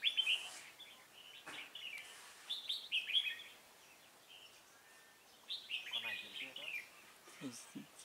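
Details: Red-whiskered bulbul used as a decoy bird at a trap, recorded 16 November 2017: bursts of bright, warbling phrases with quick rising and falling notes, repeated at irregular intervals between pauses, with a man talking quietly near the end.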